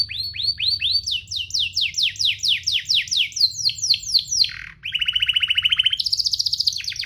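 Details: Canary singing a tutor song for young canaries: a run of rapid downward-sweeping whistled notes shifting pitch in steps, then a fast rattling trill and a higher trill tour.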